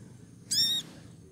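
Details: A female pied triller in breeding condition gives one short, loud, harmonic whistled note that lasts about a third of a second and holds a steady pitch, calling to lure a male.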